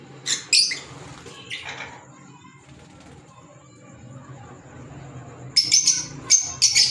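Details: Green Fischer's lovebirds kept as pets give a few harsh, shrill chirps in quick bursts at the start. A quiet pause follows, then a cluster of sharp screeches near the end over a faint steady high whine.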